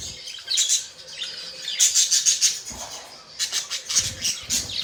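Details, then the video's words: Pet budgies chatter in bursts of high, buzzy chirps and scratchy squeaks, with short pauses between the clusters of notes. "Budgies chirping sound"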